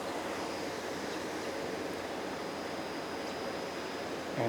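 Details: Steady broadband outdoor hiss, like wind or distant traffic, runs throughout with a faint high whine, and a short louder knock comes at the very end.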